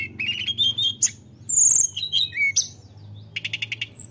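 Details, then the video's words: Sunda robin singing hard to provoke rival birds: quick high whistles, a long bright whistle, and a closing run of rapid repeated clicking notes, with a faint low hum behind. "tledekan gunung gacor Memancing emosi lawan"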